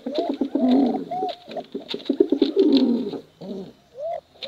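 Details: A wild pigeon (merpati hutan dara) gives soft, low, throaty coos in rolling bursts, with short breaks between phrases.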